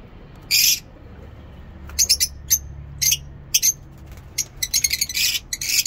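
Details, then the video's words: Lovebirds singing in a mini zoo in the morning, giving sharp, high, scratchy chirps in irregular bursts, some in quick clusters, with a low steady hum behind. "Lovebird ngekek lovebird singing in mini zoo"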